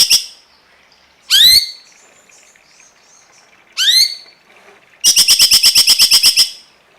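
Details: Cungkok song for songbird training: two loud, quick downward-sweeping whistled notes a few seconds apart, then a fast rattling run of about twelve identical high notes, over a quiet background.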